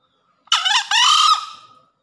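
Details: Green junglefowl crowing after heavy rain gives one short, hoarse two-part crow: a rough first note, then a higher, drawn-out second note that fades away.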